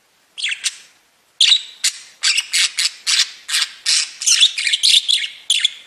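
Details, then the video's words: Pet budgerigars singing: after a short pause, a steady series of scratchy, buzzy chirps, roughly three or four each second, with a faint thin whistle running underneath. "Веселое пение волнистых попугайчиков / Funny singing of wavy parrots"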